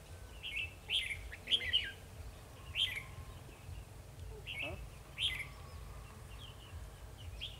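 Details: Caged decoy red-whiskered bulbul during a trapping session on 2 December 2020, giving combative song: bright clipped warbles in quick clusters, then sparser notes, with a man speaking softly in the background.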